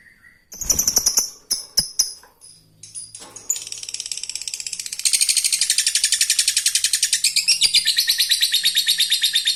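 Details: Ngekek of a fighter lovebird calling out an opponent, a recording meant for training other lovebirds: several scattered high chirps, then a dense, very high-pitched rattling chatter that grows louder and continues unbroken to the end.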